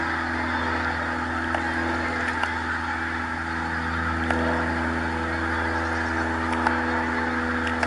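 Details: A large flock of pink-footed geese at Montrose Basin gives a steady overlapping chorus of high, nasal honks and yelps with a low background rumble.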